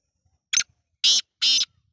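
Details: Black francolin, also called kala teetar, calling: a short scratchy note, then three longer harsh, grating bursts about half a second apart, loud against a quiet background.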